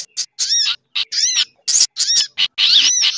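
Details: Sunbird lure call mixed with other small birds: quick high chirps and stacked downslurred twitters in short bursts, ending in a long, noisy chatter.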